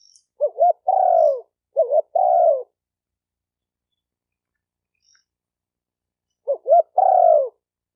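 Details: Spotted dove song for stirring up decoy, cock and hen birds: three phrases, each of two quick short notes leading into a long low coo that sinks at the end, the last after a long silence.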